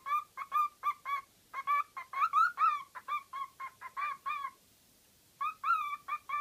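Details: Pet parrot making all kinds of noises: a rapid series of short, nasal, honking squawks in bursts of three to six, with a pause of about a second before a final burst.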